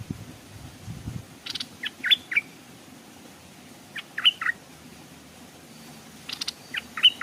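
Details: Decoy Stripe-throated bulbul hung at a streamside, wild birds nearby but not landing; three short bursts of clipped, bright chirps spaced about two seconds apart, with a faint low thump at the start.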